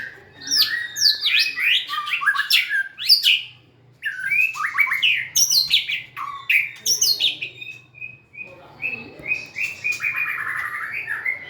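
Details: White-rumped shama singing while dancing and wagging its tail: rich run of varied whistled notes and quick slurred chirps, several rising and falling, ending in a series of short repeated whistles, over a faint low hum.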